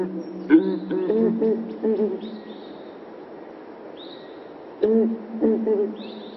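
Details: Southern ground hornbill (Bucorvus leadbeateri) in Kruger, giving deep, hollow booming calls in two short bursts; a thin, high whistle from another bird sounds between them.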